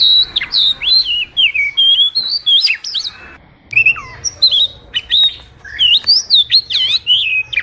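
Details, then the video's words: Oriental magpie-robin song used for training or luring birds: wavering whistled trills and downward slurs, a short pause midway, then more rapid varied whistles and chips. "Masteran suara burung kacer super gacor, Suara pikat burung kacer"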